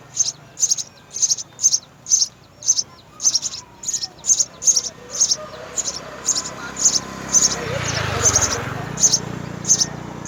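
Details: A nest of three young house sparrows fed by mother and father: evenly spaced, piercing high chirps pulse roughly twice a second, later softened as a broad rushing noise rises in the background.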